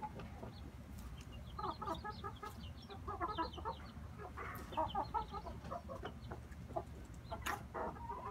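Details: Inbred red junglefowl brothers clucking softly in uneven clusters, with brief higher chirps overhead and a heavy low rumble throughout.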